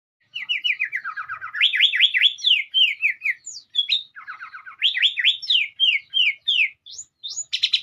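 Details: Sooty-headed bulbul singing melodiously: rapid run of bright downslurred whistles, a low buzzy stretch near one second and another near four, then more quick slurred notes repeated several times a second, with brief pauses.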